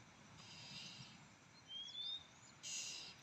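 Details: A male Oriental magpie-robin, likely with young nearby (one chick heard) near a nest by an oil palm plantation, gives a clear, rising whistled note with a few short slurred notes, framed by harsh, hissing bursts against steady outdoor background noise.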